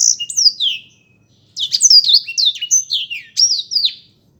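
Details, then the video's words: Black-throated canary singing two energetic bursts of high, sliding whistles and rapid chirps, separated by a short silent pause. "burung blektroat memang keren ....suaranya"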